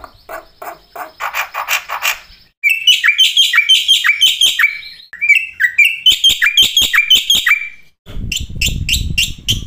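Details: Black-winged starling song, a full training track with fill-in phrases: harsh, noisy chattering bursts, then rapid series of clear whistled notes with sharp downward flicks, shifting abruptly between sections, ending with buzzy calls over low rumble.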